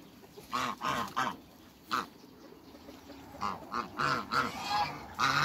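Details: African geese at a farm where they meet other waterbirds, uttering a series of short, loud, trumpeting honks, three close together, one alone, then a faster cluster of six or so.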